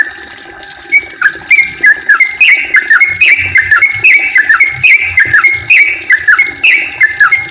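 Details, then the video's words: Rapid, unbroken song of a yellow-vented bulbul, meant to prompt other bulbuls into singing. Chattering, bubbling whistles tumble up and down in a fast string lasting several seconds, with a few soft low knocks. "kicau trucukan gacor ropel panjang ampuh untuk pancingan trucuk biar aktif bunyi ropel dan gacor"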